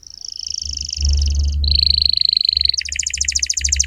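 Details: Atlantic canary in vigorous full song, played as a lure to tutor young canaries: a steady high whistled trill, then a lower buzzy roll, then a fast pulsed trill, over a low background hum.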